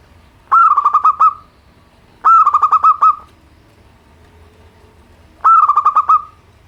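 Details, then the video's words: Local zebra dove singing a simple song intended to get idle birds calling: three rolled, purring coo phrases, each opening with a higher note then a quick pulsed series, spaced about two and a half seconds apart. "perkutut lokal suara sederhana, untuk terapi burung malas bunyi."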